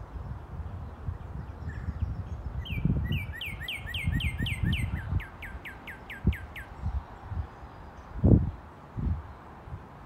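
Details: Male Northern Cardinal singing in the early morning on a rural property holding three cardinal pairs. About a dozen clear, downslurred whistles over four seconds, quick at first and then slower, over steady low rumbling and scattered thumps.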